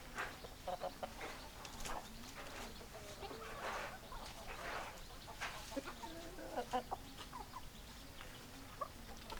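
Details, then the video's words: Hens and roosters clucking in a flock: a quick run of short, clipped clucks and little bent notes, loosely spaced, against a constant low hum and noisy background. "Chicken Sounds Noises Hens Clucking Roosters Crowing"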